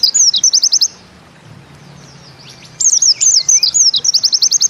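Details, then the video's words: Pleci bustomi white-eye 'nembak ziperrr' singing: short high chirpy phrases, then nearly two seconds of quiet, then a livelier mix of sharp rising notes and quick repeated chips. "Bustomi NEmbak Ziperrr Mudah DI Tiru"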